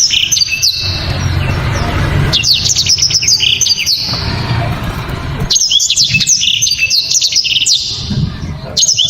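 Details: {'text': "Black-throated canary song with loud, sharp, very clear 'shots', dense and powerful. High twittering bursts of rapid slurred notes come in two long phrases separated by pauses, over low background rumble."}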